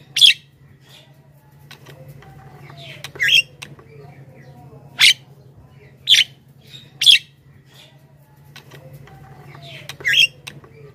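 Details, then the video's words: Javan myna calls used to attract wild mynas: six short, harsh squawks spaced one to two seconds apart over a faint steady hum. "suara burung jalak kebo gacor"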